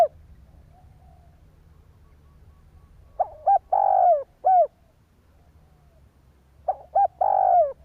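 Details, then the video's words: Spotted dove in Vietnam cooing to stimulate other doves: two loud phrases, each a short note pair, a long drawn coo falling at the end, and a final clipped note, separated by a few seconds of quiet. "Tiếng chim cu gáy kích bổi"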